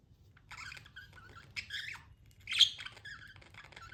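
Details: Pet budgerigar chirping: scratchy warbled notes and short squeaks, peaking in one loud shrill chirp before softer chatter.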